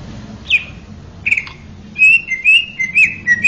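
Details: Male greater green leafbird, sweet-voiced training model for young birds, opening with scattered falling whistles, then a fast run of slurred whistled phrases and short warbles, with low background hum.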